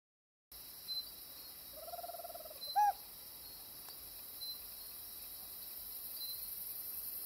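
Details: Tropical screech owl (Megascops choliba), a resident bird in Costa Rica, gives a soft, quick purring trill ending in two sharp, emphatic hoots, over a steady high insect drone.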